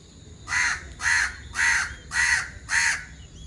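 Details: Alexandrine parakeet, also called Ceylon large parakeet or Labu Girawa, a resident bird in Sri Lanka: five loud, harsh, raspy screeches repeated evenly about every 0.6 seconds over a quiet outdoor background.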